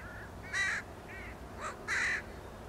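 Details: Northwestern crows on the Beluga Slough Trail in Homer, Alaska, giving harsh, nasal caws: a fainter call, two loud drawn-out caws near the middle and end, with softer ones between, over quiet background hiss.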